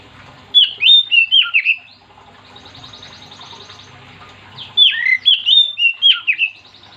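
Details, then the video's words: Oriental magpie-robin singing vigorously to encourage other magpie-robins to join in. Two groups of loud, rich whistled phrases with downward slurs, separated by a softer stretch of faint high trilling. "Kacer gacor yang bikin Kacer lain ikut"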